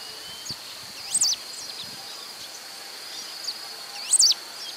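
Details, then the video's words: Pale-throated pampa-finch singing in Rio Acima, Minas Gerais, Brazil: two short, very high, twisting whistled phrases about three seconds apart, over a steady high insect drone and faint other chirps. "Rabo Mole da Serra (Embernagra longicauda)"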